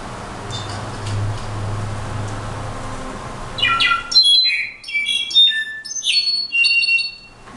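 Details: Quiet hiss for several seconds, then a brown-backed solitaire bursts into a varied song of bright whistles, upslurs and metallic ringing notes at shifting pitches.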